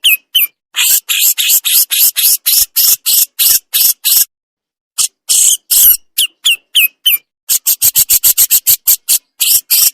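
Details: Javan crested jay in full besetan, a master recording with pauses: rapid bursts of harsh, rasping, high-pitched notes, some with short upslurred whistled tails, at about three per second, broken by brief silent gaps.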